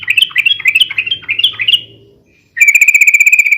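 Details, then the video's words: Sooty-headed bulbul song used for luring and as a tutor recording: a fast chattering run of short rising and falling notes for two seconds, a pause, then a rapid even series of sharp repeated notes. "SUARA BURUNG TRUCUKAN RIBUT UNTUK PIKAT DAN MASTERAN ,SUARANYA ROPEL DAN PANJANG"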